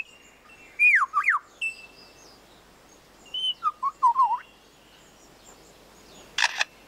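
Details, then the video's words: Male lyrebird in forest, trying to outsing rivals, gives loud swooping, warbling whistles in two bursts, then a sharp click-like burst mimicking a camera shutter; it also mimics motor-drive cameras, car alarms and chainsaws. "Lyrebird Imitating Man-made Sounds in Forest"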